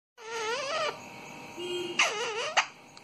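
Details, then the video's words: Pet parrot calling: a nasal, wavering harmonic cry under a second long, a short low steady tone, then a second wavering cry that dips and rises, ending in a brief sharp note. "तोते की प्यारी सी आवाज"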